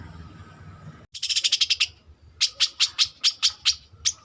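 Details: Young long-tailed shrike learning its song: after a quiet second of low rumble, a rapid burst of dry ticking notes, a pause, then a slower series of about ten sharp chips.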